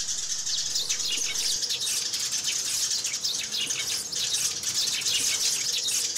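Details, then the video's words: Many sparrows calling at once as they hop and fight, producing an unbroken mesh of sharp, high, overlapping chirps. "Tiếng Chim Sẻ Gọi Về Và Nhảy - Tiếng Sẻ Cắn Nhau"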